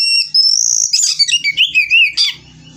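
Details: Oriental magpie-robin singing aggressively while seeking an opponent: a loud, rich run of clear whistles, a long high note sliding into rapid warbled and wavering phrases, then fading, with a faint low hum beneath.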